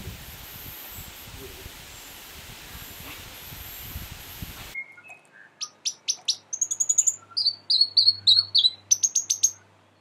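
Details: Young tūī foraging for kawakawa fruit at Bushy Park Tarapuruhi, a predator-free fenced sanctuary north of Whanganui, New Zealand; after a muffled noisy opening, rapid series of high sharp chirps and downslurred notes, in quick bursts, ending abruptly.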